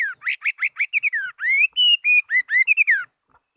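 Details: Chinese hwamei, a fighting-type bird, sings loud clear whistled phrases: a quick run of five rising notes, then long slurred whistles and warbled flourishes, with no other sounds.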